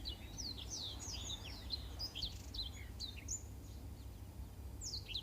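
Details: Black-throated canary song, recorded as a master song for training canaries: a lively stream of high, thin, slurred notes in rising and falling sweeps with brief pauses. A steady low hum runs underneath.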